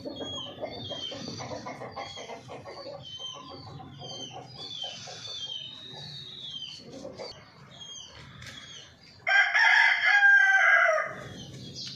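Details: A chicken kept among hens: a stretch of busy high bird chirping and clicking noises, then one loud, strained, sustained crow-like call of about two seconds near the end.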